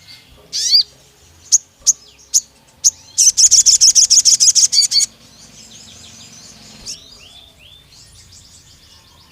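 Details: Pied fantail lure song meant to excite other birds: a steep downslurred note, several separate high chirps, then a fast run of bright repeated notes lasting about two seconds, followed by softer twittering.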